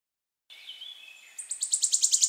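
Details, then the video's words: Warbler mating song used to prepare for mating: a thin wavering whistle, then a fast, loud series of high, evenly spaced chipping notes that keeps building to the end. "Warbler mating twitter تغريد التزاوج لطائر واربلر"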